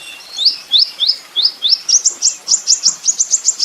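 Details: Olive-backed Sunbird (kolibri ninja), recorded for training songbirds, gives a series of sharp upward-sweeping chirps that start lower and climb higher as they quicken.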